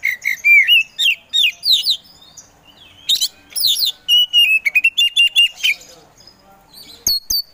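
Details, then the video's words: Kacer poci magpie-robin, a competition songbird used as a provoker, singing fluty slurred whistles, a harsh buzzy burst, then a quick run of repeated clipped notes and a couple of high whistles at the end. "KACER POCI GACOR SANG PROVOKATOR"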